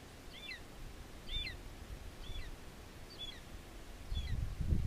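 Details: Young black-chested buzzard-eagle (Geranoaetus melanoleucus) at a rock with a long-used nest site, Aratuba, Ceará, Brazil: five thin, high, squealing downslurred calls about a second apart, over a low rumble of wind.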